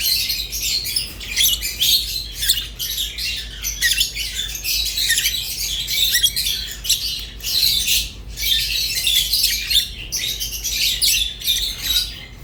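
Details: Rosy-faced and Fischer's lovebirds keep up a busy stream of harsh, high squeaks and twitters, nearly unbroken for twelve seconds, with brief dips in loudness and a soft steady hum behind.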